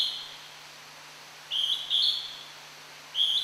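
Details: Hodgson's hawk-cuckoo calling in the wild at Tokyo Citizens' Forest: somewhat distant high whistled two-note phrases, the second note rising, repeated after pauses of over a second, with faint background hiss.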